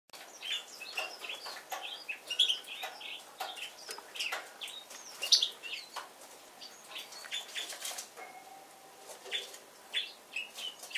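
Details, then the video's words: Yellow-throated bunting warming up its song: high, thin chips and brief twittered fragments at an uneven pace, with soft rustling and scattered clicks around it. "Желтогорлая овсянка"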